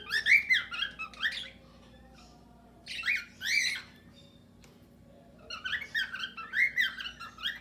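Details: Cockatiels in a mixed aviary with budgerigars, singing their usual calls: clusters of bright, wavering chirps in three separate bursts, with quiet gaps between them.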